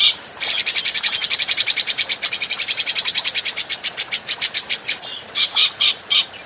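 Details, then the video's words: Clean training recording of an adult grey-cheeked bulbul: a long, fast rattle of loud, harsh pulses at about eight per second, holding steady for four seconds before breaking into separate sharp notes and short whistled fragments. "Masteran Burung Cucak Jenggot"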